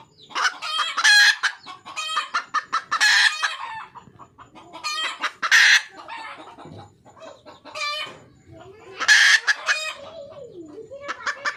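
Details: Red junglefowl hen calling for a male in the wild, producing repeated clucking bursts punctuated by strident squawks every few seconds, with a low warbling tone near the close.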